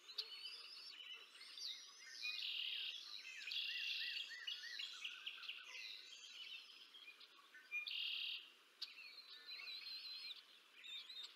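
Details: An adult female bald eagle feeding two eaglets at the Decorah North nest on 20 April 2024, nest camera: bursts of harsh squealing alternate with rapid, high, piping chatter, several outbursts across the stretch.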